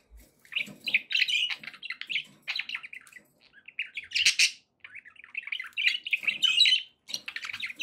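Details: Happy pet budgies giving scratchy, buzzy chirps and warbled chatter in short bursts, with one louder harsh squawk midway and a brief quiet gap before the chattering resumes.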